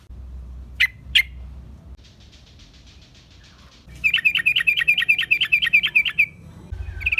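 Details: Yellow-vented bulbul lure recording used to attract wild bulbuls: two sharp chirps, a soft buzzy rattle, then a fast run of about a dozen bright, repeated chattering notes, ending with a few more chirps.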